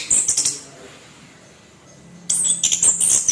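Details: Orange-headed thrush, kept and given harsh song to provoke rival birds: a brief burst of shrill, rasping notes, a long gap with a faint low hum, then another hissing, scratchy flurry.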